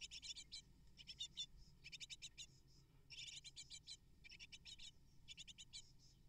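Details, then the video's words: Eight great tit nestlings begging for food from their parents: clusters of quick, high, harsh chirps repeated in bursts with short silences between them, faint low hum behind. "Amazing Great Tit Parents Deliver 12 Prey To 8 Hungry Nestlings In Just 12 Minutes!"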